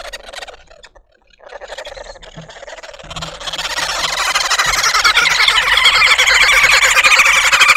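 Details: A Red-billed woodhoopoe (Green wood hoopoe) family in a suburban garden in Pretoria, South Africa, causes a commotion: a harsh, rapid cackling chorus swells louder and denser, several birds chattering together after a few quiet notes.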